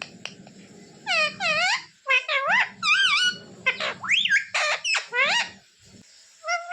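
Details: Talking pet parrot asking for roti: dense chains of nasal, harmonic syllables with curving pitch fill the middle seconds, while a low murmur like a human voice runs underneath at the start and between phrases.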